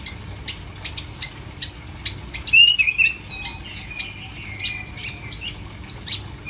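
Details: Loud, clear long-tailed shrike song: crisp high clicks and chips with a bright whistled trill in the middle, followed by rapid scratchy notes.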